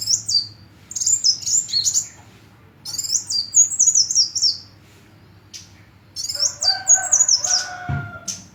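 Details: Sunbird twittering in very high, rapid zigzag phrases repeated three times with gaps, joined near the end by a lower, steadier tone from another bird and a brief thump.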